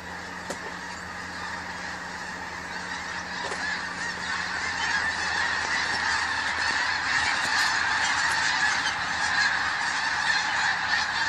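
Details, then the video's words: A big flock of snow geese on a hunting outing, countless high nasal honks overlapping into a continuous roar that grows louder in the second half, with a few clicks. "Snow geese"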